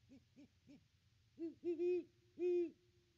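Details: Great Horned Owl of a nesting pair hooting at the nest tree on Christmas Day: three short, quiet notes followed by four louder, drawn-out deep hoots.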